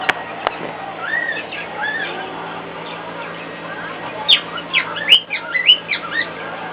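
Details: Pet cockatiel singing louder than normal to a hairdryer running in another room: scattered whistled notes early, then a quick burst of rising and falling chirpy whistles over a steady background whirr.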